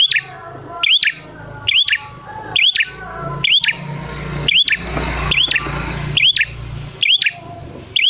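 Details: Lively bar-winged prinia lure call meant to draw answers from other prinias: crisp rising whistled notes framed by clicks, roughly once a second, over a steady low hum and soft background noise.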